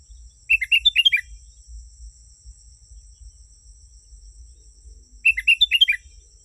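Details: Genuine sooty-headed bulbul song used as a lure for wild birds. Two brief, lively phrases of clustered, chirpy descending notes, one near the start and one near the end, with a constant shrill insect hum and faint low rumble.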